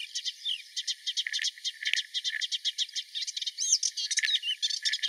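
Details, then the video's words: Melodious warbler song recorded in Mila, 4 May 2021: a rapid, chattering stream of sharp repeated notes mixed with brief whistled slurs, delivered nonstop and slightly fainter than nearby sounds. "Melodious Warbler"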